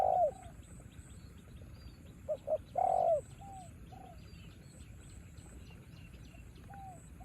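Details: Spotted dove confronting a wild dove in the rain in Thailand, giving soft mellow coos with a louder double-noted burst and a longer throaty coo midway, over a steady faint high background hum.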